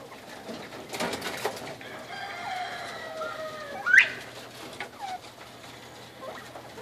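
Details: Hungry Georgia Giant bobwhite calling from a grow-out pen in the morning: a drawn-out harmonic note, then a sharp, loud upslurred whistle at the midpoint, amid lighter chatter from other birds.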